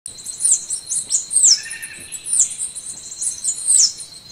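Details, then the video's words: Golden-winged sparrow (Arremon schlegeli) singing very high, thin, sibilant notes in quick downslurred bursts roughly every second, over a steady high insect drone. "Canto do pássaro arremon schlegeli"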